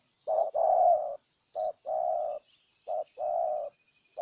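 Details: Cooing spotted dove used as a decoy to win over a wild bird, Ninh Thuận, Vietnam: three clear phrases, each a short low hoot followed by a longer steady coo, separated by short pauses.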